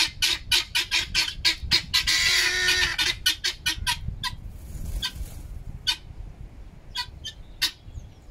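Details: Pet helmeted guineafowl, several birds, noisily scolding their owner with loud, harsh, rasping calls in quick bursts, about one a second, with a longer noisy squawk partway through.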